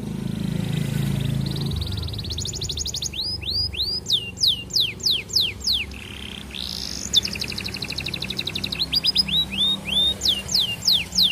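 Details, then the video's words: Canary singing to court a female, played as a lure to get other canaries singing long rolls; rapid trills alternate with repeated swooping whistled notes and sharp falling slurs, a low hum underneath at the start. "Kenari Gacor Panjang MERAYU BETINA Cocok Buat Pancingan Semua Jenis Kenari Biar Ikut GACOR NGEROLL"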